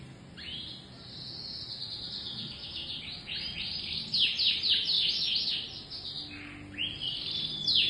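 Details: Canary singing its full setori song: fast high rolling trills and chattering runs of rapid notes, building louder toward the middle, with brief downward-sweeping notes. A faint low hum sits underneath.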